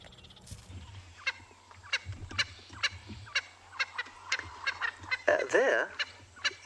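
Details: Swainson's spurfowl, perched as if on a stage, sings harsh, grating notes in a rapid ragged series ending in a louder rasping burst, over a low engine hum, on an afternoon game drive at Ngala Private Game Reserve, South Africa, 8 May 2020.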